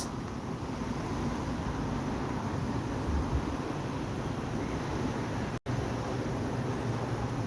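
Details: Steady outdoor wind and low rumbling noise with a brief dropout to silence midway. No animal calls are heard.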